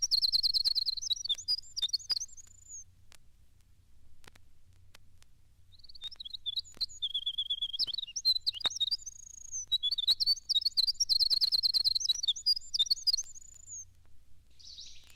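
Winter wren singing long, tumbling bursts of very high, rapid trills and twitters, three outpourings separated by brief pauses, over a faint low hum.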